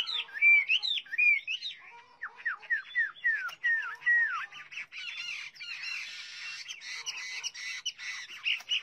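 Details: Chinese hwamei, several birds, singing: loud varied whistled phrases with rising and falling slurred notes, rapid repeated motifs, some harsher scratchy notes toward the end.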